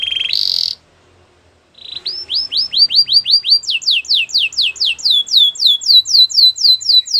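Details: Canary song used to prompt a quiet canary to sing. A short loud burst, a second of silence, then a long series of clear, descending whistled notes, each repeated about three times a second and climbing higher partway through.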